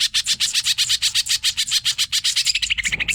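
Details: Cucak ijo, or greater green leafbird, sings fast and hyper for a master recording: dense, rapid chattering notes roughly four per second, quickening into short higher chirps at the end, with low hum beneath.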